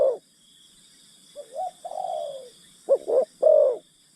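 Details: Spotted dove decoy luring forest birds: a low, drawn-out descending coo, then a quick double coo and a longer mellow note, with a continuous shrill insect hum throughout.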